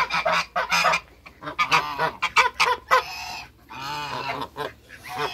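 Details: Backyard African geese, two males and one female, giving rough nasal honks, some clipped and some drawn out with rising-falling tone, irregularly spaced over several seconds with brief quiet gaps.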